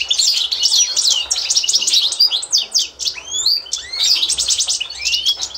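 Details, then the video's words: Authentic Constantine goldfinch singing as a school model for young birds, 2024: clusters of sharp descending chirps alternating with clear upward-sweeping whistles, with brief dips in the otherwise continuous twittering. "قوة تتكلم في المدرسة تتعلم مع الحسون القسنطيني الاصيل"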